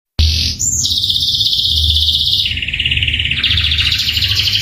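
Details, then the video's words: Canary singing a roll: a long, continuous high rattling trill held steady for seconds, stepping down in pitch midway and then rising again, with a low hum underneath. "Roll & tembakan kenari mantap"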